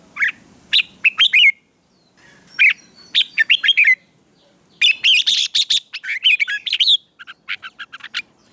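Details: Red-whiskered bulbul in morning contest-training song, giving lively phrases of loud, looping whistles and sharp chirps in tight bursts, each group of notes followed by a pause before the next flourish.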